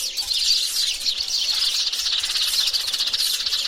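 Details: Mixed male and female sparrows in a flock, giving lively, high-pitched twittering with overlapping chirps and short trilled bursts, continuous throughout with a quiet background.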